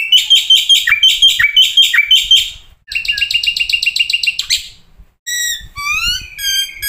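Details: Black-winged starling song as a training and lure recording: loud rhythmic repeated chattering phrases, then a rapid metallic rattle, ending in clear whistled notes that rise and fall.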